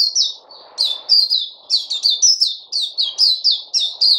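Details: Loud, fast twittering from a white-eye (puteh), recorded 29 August 2020: high notes slurring downward, tightly packed with some upward flicks. A faint low murmur sits in the background.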